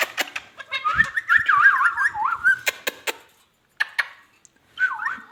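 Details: Ringneck parrot talking in a loud, fluttering run of warbled, zigzagging whistled syllables, mixed with sharp clicks, a brief pause, then a short, wavering whistled phrase at the end.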